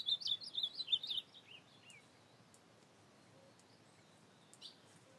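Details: An ultramarine grosbeak singing at night in the field on 25 August 2024 gives one quick phrase of high, sweet warbled notes sliding downward over about two seconds, then one faint note over quiet hiss.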